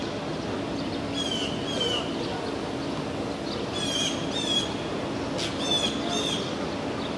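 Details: In Tompkins Square Park, East Village, Manhattan, on 22 June 2022, two blue jays mobbing a two-month-old red-tailed hawk fledgling give harsh, raspy jeering calls in three short bursts over a steady low city hum.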